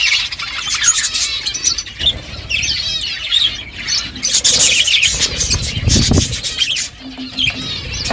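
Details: Pet budgerigars chirping while eating, continuous high warbled chatter over a low rumbling background, with a short hum near the end.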